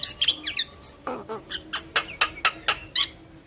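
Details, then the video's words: Head-bobbing, yellow-eyed black-winged myna in lively song: quick high chirps and twisting whistles open, then a string of sharp evenly spaced clicks and squeaks roughly every quarter second. "Jalak Kebo Mata Kuning Gacor Manggut Manggut Bikin Burung jalak Kebo Yang Dengar Ikut Gacor Manggut2"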